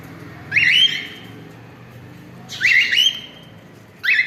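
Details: Cockatiels in a family group giving three raspy, upslurred calls spaced about two seconds apart, each with a short wavering tail, against a low indoor hum.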